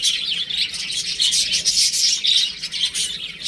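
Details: Baby chickens playing at home give rapid, piercing chirps, several birds calling together in short pulsing bursts.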